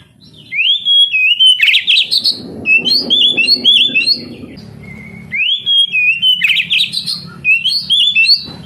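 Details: Oriental magpie-robin song meant to spur young canaries into singing: two matching bursts of rising whistles and rich jumbled chirps, separated by a quieter stretch with a single thin note.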